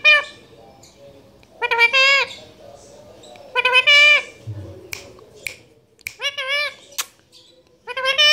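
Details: Talking parrot, caged pet, speaking Urdu/Hindi: short harsh nasal word-like phrases in bursts, separated by pauses, with clicking sounds between.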